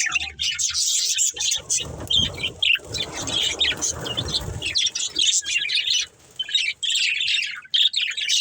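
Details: A family of budgerigars playing together, filling the air with continuous high, scratchy warbling and chirps. There are a few brief pauses, a rougher, noisier stretch in the middle, and some low background rumble.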